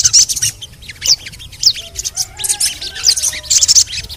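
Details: Lure calls of a crimson sunbird aimed at stimulating reluctant birds: spaced, piercing high chips and squeaky twitters arriving in irregular bursts, with a faint low hum of steady tones behind them.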